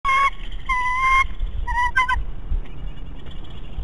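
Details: Bald eagle at the Big Bear nest, excited and squeeing just before entering the nest on 5/5/18, played at fast speed: three bursts of clear, slightly wavering whistled notes with bright overtones, then short clipped chips over a low rumbling background.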